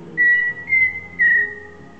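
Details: A Pheasant cuckoo gives three pure, even whistles, each a little higher than the one before and about half a second apart. The call is clear against a soft, low background hum.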